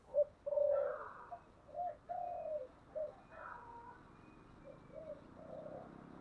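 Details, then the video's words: Spotted dove with the 'thổ' (earthy) voice style, giving thúc and calling coos: quiet, low hollow coos in a broken series over a hissy background, a short double note followed by a drawn-out coo, then softer trailing notes. "Cu gáy giọng thổ/ chuẩn thúc và gáy gọi"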